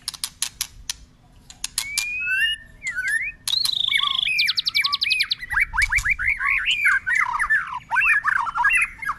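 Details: Tail-flicking white-rumped shama in a long, unbroken song that keeps switching voice: sharp clicks, falling whistles, a rapid trilled stretch, then a dense run of varied upward-sweeping and warbled notes, with steady low hum behind.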